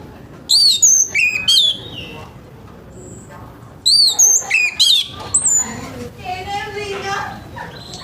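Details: Orange-headed thrush singing harshly in the morning, used to prompt untrained birds to start singing: loud, sharp whistled notes in two quick bursts with falling slurs, a quiet gap between, then softer lower warbling and faint background noise.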